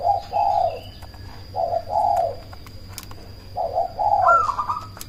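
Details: Cemani zebra dove (perkutut) with a loud voice, called to provoke rival doves into answering and to raise breeding drive. Three low, burbling coo phrases about a second apart, ending in a brighter, higher trilled phrase, over a steady low hum.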